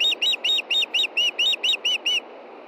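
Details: Female osprey at a nest in Montana, calling before dark on 22 June 2013 at 9:53 p.m. as her mate fishes nearby. Ten shrill, high whistled chirps repeated about every quarter second, then stopping.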